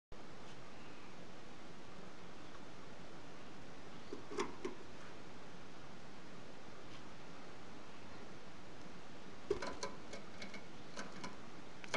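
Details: Steady low room hum and hiss with a few faint clicks and rustles; no birdsong or other animal voice is heard.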